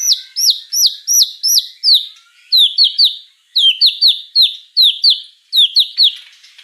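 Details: White-rumped shama in vigorous song: high, ringing downslurred notes given in quick sets of three to five, a short pause after each set, the pattern repeating steadily.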